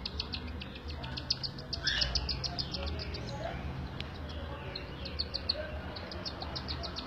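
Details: Cockatiel chicks fed by their mother, a rapid stream of short high chirping begging notes in uneven bursts, with a low constant hum and faint murmurs behind.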